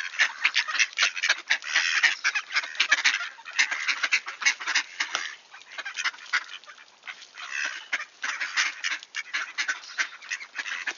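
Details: Returning wood ducks, Sainte-Adèle, Quebec, Canada, early on 18 October 2024, clear and 1°C: long run of dense overlapping nasal chatter from a flock, softening slightly in the later part.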